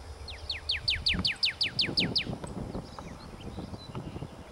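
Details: Pyrrhuloxia giving a quick series of about ten clear, sharply downslurred whistled notes, roughly five per second, over low rumbling wind noise.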